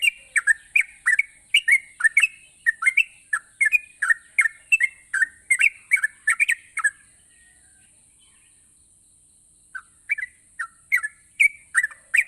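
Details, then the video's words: Yellow-vented bulbul pouring out bubbly, gurgling phrases for about seven seconds, falling silent briefly, then resuming with scattered chirps; sung to prompt lazy bulbuls, with a steady high-pitched hum underneath. "burung trucukan gacor memancing trucuk malas jadi rajin bunyi"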